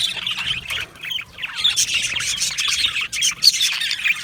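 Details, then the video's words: Budgerigar colony in an aviary, Australian budgies chattering together: dense overlapping chirps, squawks and warbled notes, bright and high, with brief dips in the din near one and a quarter seconds. "Beautiful Budgies chirping sounds"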